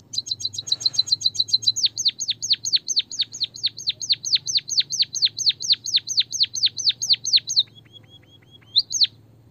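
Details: White-headed munia song used for songbird training to rouse a reluctant bird into singing. A long, rapid series of high, sharply descending whistled notes repeats about three times a second, fades into soft faint tones, then ends with one louder sweep.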